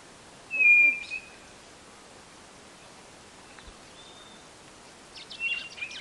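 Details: White-bellied nothura from northeastern Brazil, its song used to attract birds to a trap box: one long level whistle, followed after a pause by busy high chattering from other birds.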